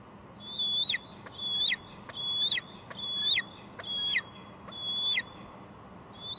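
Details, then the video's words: At a Two Harbors nest on 24 July 2022, a wild female bald eagle with leftover food calls out in the evening, giving six shrill whistled squees with falling tails at a steady, slightly uneven rhythm, picked up by a nest camera. "Two Harbors Bald eagles; Lancer's got a lot to say tonight"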